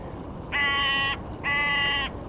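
A Hooded Crow gives two harsh, drawn-out caws, each about half a second long and about a second apart, over faint background hiss.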